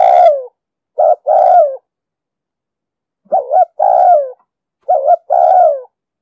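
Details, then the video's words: Urging coo of a spotted dove, 'giọng đồng sấm' style, used for trapping and for training caught birds: a trailing coo, then three phrases each of a quick two-part note followed by a drawn-out, downward-sliding coo, no other sounds. "Tiếng chim cu gáy giọng đồng sấm,thúc gù bài bản,đi bẫy, tập bổi,kích mồi,dụ bổi cực sát"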